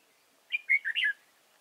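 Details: Decoy red-whiskered bulbul in a trapping setup at Chùa Hương, Vietnam, 31 March 2018: a single quick warbled phrase of four bright, slurred whistled notes rising and falling, over quiet background.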